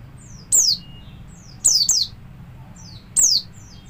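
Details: Javan white-eye, a kept songbird, in ngalas style intended to get other birds singing: sharp high notes sweeping down in pitch, spaced about a second apart, one doubled, with soft fainter twitters between.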